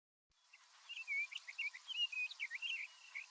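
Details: A Sage Thrasher, nearby but out of sight in big sagebrush near Silver City, Montana, on a July 2022 morning, chatters repetitively in a fast run of varied warbled and squeaky high notes over a soft hiss.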